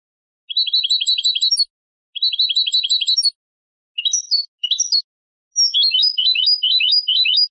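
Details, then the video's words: Tutoring song of a European goldfinch hybrid for young birds: two fast rattling trills of repeated high notes, two squeaky twisted phrases, then a lively descending twitter sequence. "تغريد هجين الحسون لتعليم الفراخ"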